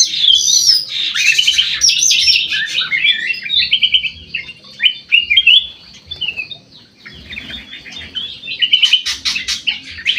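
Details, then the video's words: Black-crested bulbul (kutilang emas mata putih) singing very actively in an aviary: dense, fast chattering of high whistled and buzzy notes with rising and falling slurs, nearly continuous, other birds chirping along. "KUTILANG EMAS MATA PUTIH SUPER GACOR"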